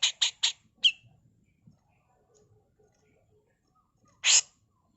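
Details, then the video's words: Female grey-cheeked bulbul, kept as a master tutor song for training: three quick harsh rasping notes, a sharper chip, then a single broad scratchy burst after a pause. "Masteran Burung CUCAK JENGGOT FULL MBESET KASAR || Cucak jenggot betina"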